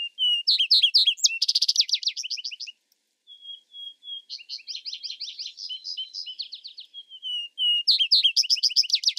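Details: Repeated Vesper sparrow songs: bursts of quick buzzy trills, a brief pause, soft whistled notes leading into long jumbled trilling runs, and a final loud trill. No other sounds are heard.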